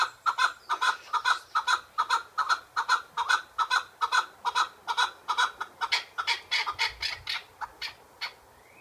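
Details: Kept chukar partridge giving a long run of harsh clucking notes, evenly repeated about two to three times per second, each a short broad burst with a strong midrange tone, loud and steady throughout with little background noise.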